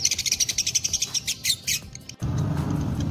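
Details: Lovebird of the fighter type, dobel minor strain, giving its long ngekek trill: rapid, evenly pulsed high chattering notes that run about two seconds, then break off into a low rumbling noise.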